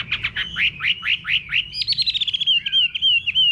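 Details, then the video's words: A Chinese Hwamei singing in a countryside garden gives loud, clear whistles: six rising upslurred notes, then a fast trill and a run of varied warbled phrases, bright and high. "Nghe Chim Họa Mi Hót"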